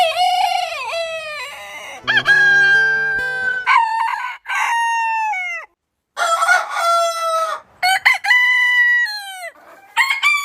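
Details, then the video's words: Rooster crows follow one after another, clear harmonic drawn-out calls with rising starts and falling ends, plus a low buzzing hum under one crow. "Suara Ayam Berkokok Panjang Ayam Jantan Berkokok Rooster Crowing"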